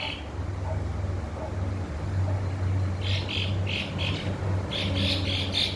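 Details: Swallows on a Tuesday in Coveñas, Sucre, give short, high twittering chirps in quick clustered bursts, mostly in the second half, over a steady low rumble of traffic.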